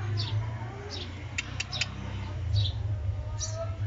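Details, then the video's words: A pet lovebird playing with its owner gives four or five short, high, downslurred chirps about a second apart, with a few dry clicks between, over a steady low rumble of handling noise. "love Bird 🐦 chirping"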